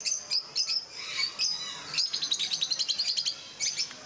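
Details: Rosy-faced (peach-faced) lovebirds in a group at Mysore Zoo: high, sharp chirps in short bursts, then a fast run of about fifteen evenly spaced chirps and a final brief pair.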